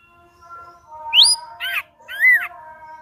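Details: Ashy drongo in full voice, played to goad a rival ashy drongo into song: three separate phrases of a rising slurred whistle, a harsh nasal note and an arched downslurred whistle, over faint steady tones.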